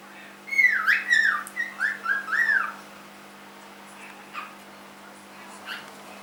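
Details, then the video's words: Three-month-old pet cockatiel whistling a looping warble of swooping notes for about two seconds, followed by a couple of faint short chirps and low background hum. "My cockatiel"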